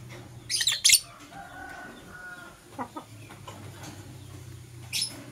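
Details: Green and blue masked lovebirds in the morning give a cluster of sharp, shrill high chirps early on, then softer tonal notes and a few scattered later chirps over a low background hum.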